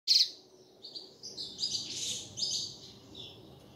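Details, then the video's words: Double-collared seedeater (coleiro) song of the tui tui style, used as a model for training captive birds to sing: a sharp high note, then a run of bright whistled and buzzy phrases, loudest at the start, over a faint low hum. "Melhor canto de coleira - canto para encarte de coleira"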